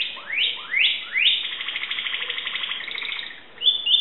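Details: Timbrado canary from Greece, 2009, singing: three quick rising whistled sweeps about every 0.4 seconds, then a fast rattling trill and a brief high whistled ending.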